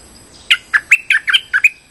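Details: Streak-eared bulbul lure call for trapping, a quick series of about eight scratchy, bubbly notes in roughly one and a quarter seconds, each slurring downward, over a thin constant high hum.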